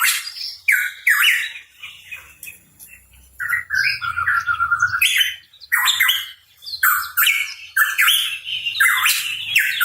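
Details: Hooded pitohui singing busily: a near-continuous stream of harsh rasping notes and whistled slurs, with a short run of quick whistles in the middle and a faint low hum beneath.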